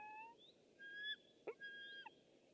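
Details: Webcam recording of a white-tailed eagle, 6 August 2015: thin, high whistled notes, level or slightly falling, given in two drawn-out phrases with a short sharp click between them over a soft background hiss.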